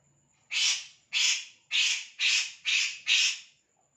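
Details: Kores bird calling in a steady series of six rasping, hissy notes at about two per second, each note loud and broad-toned, with silence around them.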